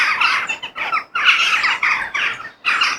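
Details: Crows in nature give short harsh caws in clumps, with a brief quiet gap before the last burst of squawking.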